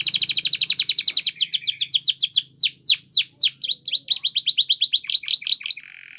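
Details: Training song from a Spanish Timbrado canary: a rapid pulsed trill that slows into sharply falling swept notes, then brisk repeated phrases ending in a low buzz.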